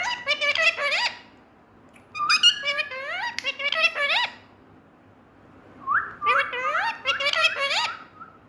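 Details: Pet green parrot from India making playful sounds indoors: rapid bursts of bright, upswept harmonic whistles and chattering notes in three rushed clusters, separated by short pauses over a faint background hum.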